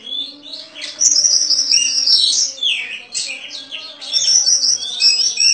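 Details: Caged, contest-winning Oriental magpie-robin in its daily routine, singing a crystal-clear, busy song packed with rich fills: rapid high whistles, trills and sharp slurred notes poured out almost nonstop, over a faint steady low hum.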